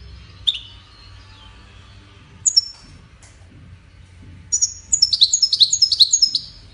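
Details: European goldfinch giving scattered single high chirps and a thin whistled note, then breaking into a fast, bright, repeated twittering run of metallic notes over a soft low background rumble.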